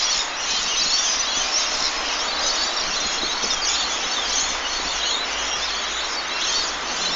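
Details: A dense, unbroken chorus of shrill, screeching chirps from many lorikeets calling together in the evening, high-pitched and constant with no clear gaps.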